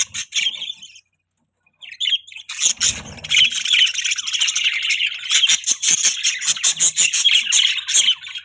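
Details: A short chirp is followed by a pause, then pet budgerigars break into rapid, steady chattering, with clicky pulses repeated at about 162 a minute and a thump of handling noise.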